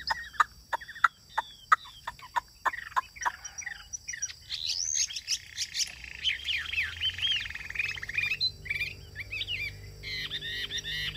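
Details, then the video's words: Caged Chinese hwamei singing well: a run of sharp dry clicks first, then loud whistled phrases with rising and falling slurred notes that sweep fast and repeat in varied bursts. "Cao cầu hót tốt - bóng bộ cực đẹp - Họat Họa Mi"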